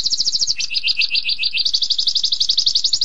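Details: Canary in 'tembakan pedas' style, fast sharp song bursts: a quick high trill drops briefly lower, then continues as an even, rapid stream of bright repeated notes, about four per second or faster, without a break.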